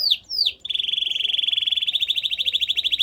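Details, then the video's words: Canary giving two swooping whistled notes followed by a steady, rapid, pulsing trill held at one pitch. "Your Canary WON'T STOP SINGING After Hearing This!"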